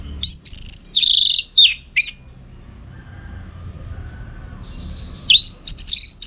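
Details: Orange-headed thrush (anis merah) singing, used as a training recording for song contests in Bali: loud whistled and slurred phrases, rising then falling, in two bursts separated by a quiet gap.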